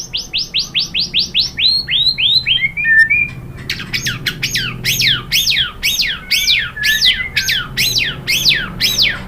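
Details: Lure song of a white-rumped shama, played to make other shamas reply; a fast series of sharp descending notes slows and drops lower, then a loud string of rising-and-falling sweeps repeated about twice per second.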